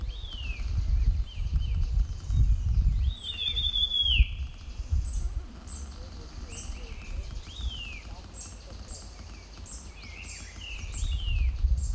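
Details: Grey-winged blackbird singing its territorial song down a Himalayan valley in summer: clear, fluty whistled phrases slurring downward, thin high notes between, over steady low wind rumble; a Hill Barbet's 'piao-piao' call also echoes.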